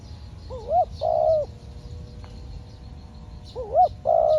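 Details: A trained spotted dove acting as a trapping decoy repeats its call twice, about three seconds apart. Each call is a warbling, rising-falling lead note and then a long, steady coo, with faint distant bird chirps behind.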